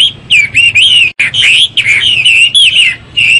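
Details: Chinese hwamei morning song: loud, sweet, continuous whistled phrases with wavering and slurred notes, broken only by a brief gap near the middle.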